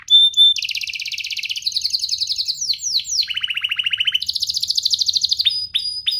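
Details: Canary song for teaching young canaries: a bright whistle, long fast trills shifting in pitch, a few sweeping notes, a low rolling trill, then a higher rapid roll and short falling chirps.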